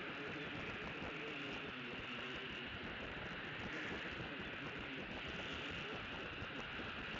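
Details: Constant dense rumbling hiss like a passing train or traffic fills the recording, with no animal calls.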